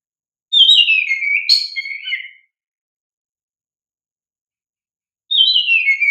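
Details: Oriental magpie-robin (kacer) song intended as a lure for young caged birds: a long descending whistled phrase with a sharp high accent, then silence and the start of another falling phrase.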